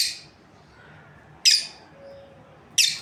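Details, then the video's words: Three harsh, high-pitched squawking chirps from a breeding pair of lovebirds, roughly 1.4 seconds apart, over a faint low background hum. "Amazing Lovebirds Chirping Sounds | breeding pair"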